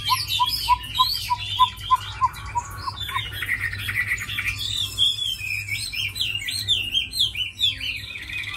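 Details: Chinese hwamei, tame and noted for fighting and singing, opens with a series of about ten short low repeated notes, then shifts into harsher chattering and looping whistled phrases.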